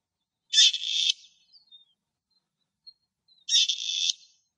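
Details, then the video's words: Wild grey partridges (Perdix perdix) in their natural habitat in Greece; one gives two harsh, grating, creaky calls about three seconds apart, each a rasping burst just over half a second long, with quiet between. "ΠΕΡΔΙΚΕΣ ΠΕΔΙΝΕΣ που ΚΡΑΖΟΥΝ - Grey Partridge"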